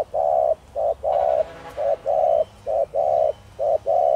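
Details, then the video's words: Spotted dove of the 'thổ đồng' voice style, cooing to stir wild doves into answering; low hollow coos, short and long notes alternating in a steady rapid run, about one each half second, with faint background hiss. "Cu gáy Thổ Đồng kích bổi nhanh nổi/Chim cu gáy giọng nhạy bổi/bổi nghe gáy như điên/cu rừng phản ứng"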